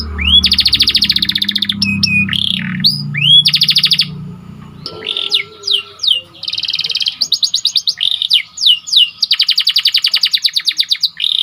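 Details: Training song of a white canary: long buzzy rolls broken by upward and downward slurs, then rapid chirp series and extended fast trills, with some low hum early on.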